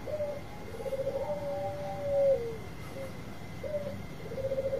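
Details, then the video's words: Bangkok-type zebra dove giving its long provoking song, here quieter: soft stuttering trilled coos and a long level note that swells then drops, over background hiss and a steady high tone. "Perkutut Bangkok Suara Panjang Cocok Buat Pancingan"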